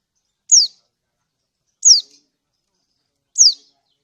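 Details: Female lemon-bellied white-eye of Lombok calling for a male: three bright, high-pitched chirps, each sliding steeply downward, repeated about every one and a half seconds against complete quiet.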